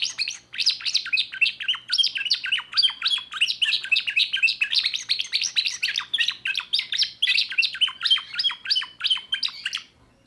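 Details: Timbrado canary, a young bird of 2024, in sustained song: an unbroken series of rapid rolling trills and chirped notes, steady and loud throughout, fading briefly at the very end.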